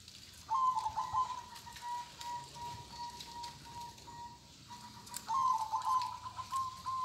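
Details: Local-type zebra dove singing in the kong style: two bursts of rapid, warbled coos with a steady, faint humming tone held between them, over a quiet background hiss.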